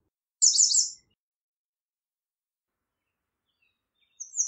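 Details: A short, bright burst of high, tightly repeated notes from an American redstart, then long silence before a second phrase begins.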